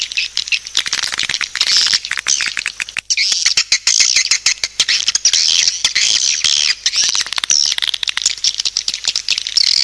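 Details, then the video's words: Dense, hissy twittering of many swiftlets in a lure call, with fast crackling chirps layered over a steady high wash. "SUARA PANGGIL BURUNG WALET"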